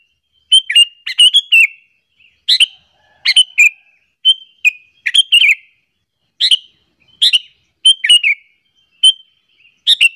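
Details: Lure call of a sooty-headed bulbul, used to make rival bulbuls angry; a steady series of short bubbling, whistled chirp phrases, roughly one every half to one second, over a quiet background.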